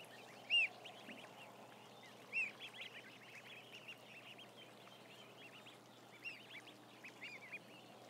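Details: Around 1,000 ducklings on a live cam: bursts of crowded high peeps, with a few loud arched whistles standing out near half a second and two and a half seconds.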